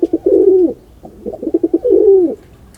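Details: Pigeon giving two rolling coos, each a stutter of short pulses swelling into a long arched tone, separated by a brief pause.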